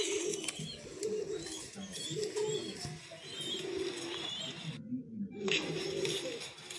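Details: A Blackgold Archangel running pair of fancy pigeons cooing in low, rounded phrases repeated about once a second, with faint chatter behind and a short dropout near the end.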